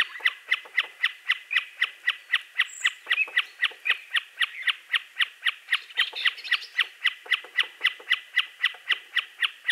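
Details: Common Snipe producing a rapid, very even stream of clicking, chipping notes, nearly four per second, continuing without a break throughout.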